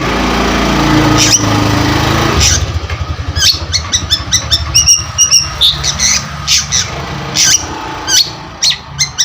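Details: Active cendet, the Long-tailed shrike, as a lure sound: after a noisy rumbling start, a quick series of sharp high chirps and clicks, some with thin whistled tones.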